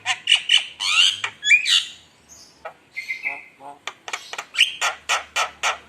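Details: Javan myna lure song, a lively bird in full voice meant to provoke rivals: varied loud whistles and harsh squawky notes, some rising, then a run of short sharp calls repeated roughly twice a second.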